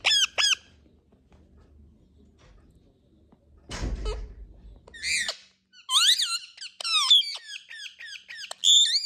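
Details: Indian ringneck parakeet calls: a pair of shrill squeaks, then a low thump and rustle, followed by a run of sharp, bent, harmonic squeals and chattering notes, loud and close in a small room.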